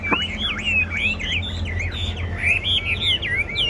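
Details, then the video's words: Loud caged Chinese hwamei contest song: a sustained flow of rolling, looping whistles and quick warbles over a faint low hum. "Họa mi hót đấu giàn"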